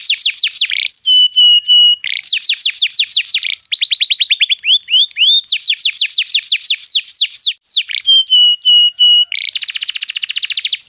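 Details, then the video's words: {'caption': 'Canary song played to coax a canary into song: bursts of rapid falling sweeps, level trilled tones, slurred rising notes, and a closing dense buzzing roll.'} "Seu canário não soa? toque imediatamente esta espetacular canção do canário"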